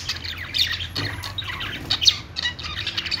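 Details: Parakeet chirping: a soft, continuous warble of high twittering and squawky notes with quick sweeps, over a faint low hum.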